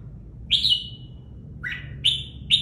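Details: Red-whiskered bulbul in a training cage with tight plumage: one long ringing whistled note with a falling tail, then three shorter bright whistles spaced about half a second apart.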